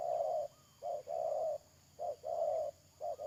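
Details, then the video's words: Low, hollow coos from a spotted dove serving as a trapping decoy, 31 May 2022: long level notes separated by short clipped ones, loud and close, with a thin constant whine high above. "Pikat Tekukur"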